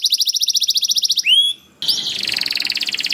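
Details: Canary singing as a lure for other canaries: a rapid buzzy trill, a few clear rising whistles, a brief break, then another fast rattling trill.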